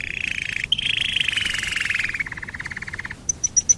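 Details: Domestic canary singing as a lure to make other canaries sing: long rolling trills that slowly drop in pitch, ending in a few sharp high notes.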